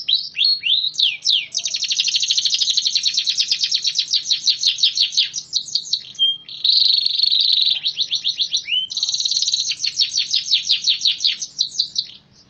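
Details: Caged AF-type canary, song length raised from about 20 to 30 seconds by twice-weekly outdoor airing; a sustained stream of high rolling trills with whistled upslurs, a short pure note, dense churring passages and renewed rapid rattles.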